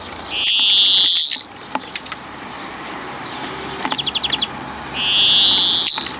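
A European greenfinch gives two long, nasal, wheezing notes that rise slightly in pitch, separated by a quick rattle of about eight short twittering notes.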